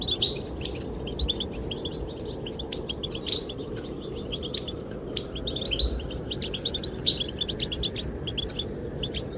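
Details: Goldfinches singing, the male's song given to attract the female; bright twittering chirps and tinkling high notes scattered across the recording over steady wind noise.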